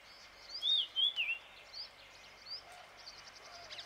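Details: Marshall's iora in Shekhawati, Rajasthan, India, recorded in April, giving a quick run of bright whistled, slurred notes early on, then fainter chirps and high ticking against constant rural background noise.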